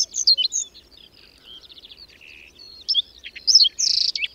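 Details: Whinchat in a spring blizzard with strengthening wind at the Berezinsky Biosphere Reserve settlement of Domzheritsy. Loud sharp high chips alternate with softer buzzy trills and short whistled notes in quick succession.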